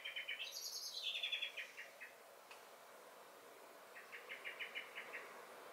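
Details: Common blackbird singing and alarm calling in a garden on 23 May 2021: loud chattering notes with a high, screechy rising and falling twitter, a click, then a steady run of about eight chack notes.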